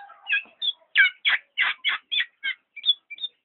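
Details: Black-naped oriole producing a short bout of loud, rich, buzzy notes, about three per second, each broad and slightly descending, trailing off into thinner high chips.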